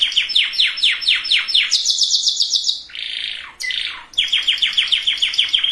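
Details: Singing canary meant to condition breeding males and females: a series of descending slurred notes, a fast high trill, a harsh buzzy rattle, then another run of repeated downward-sweeping notes.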